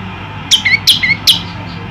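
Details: Male olive-backed tailorbird singing energetically, a kept bird later released into the wild: three loud, sharp descending chips, each followed by a short lower whistled note, about two-fifths of a second apart, over faint background hum.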